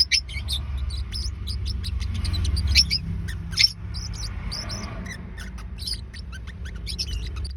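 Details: Pair of Forpus parrotlets at home giving rapid high chirps and squeaky notes, roughly seventy a minute in irregular clusters, over steady low background rumble; calls used to help find a lost bird.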